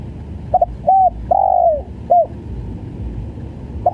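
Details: Spotted dove (tekukur) in a stammering call style: a quick double note, a short coo, a long rough coo sliding downward, then a brief closing note, with faint low rumble behind.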